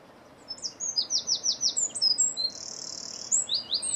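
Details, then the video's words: Calling as it feeds, a European greenfinch filmed in 2017 gives a rapid string of high chirps, then a long nasal buzzing wheeze near three seconds, followed by more twittering notes. "A Greenfinch calling 1"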